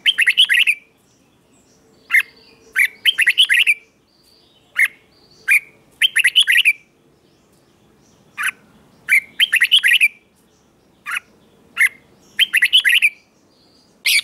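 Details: Morning song of a red-whiskered bulbul during singing training: clusters of rich, bubbly whistled notes repeated in short bursts roughly every second or two, with single sharp chirps between phrases and near-silent gaps; no other clear sounds.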